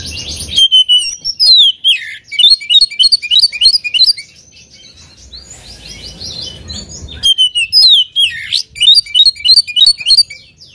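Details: Oriental magpie-robin (kacer) in full song, used as a lure to provoke a rival into singing; loud, varied bursts of clear whistles, sweeping slurred notes and rapid chattering trills in two long phrases separated by a quiet pause of about three seconds.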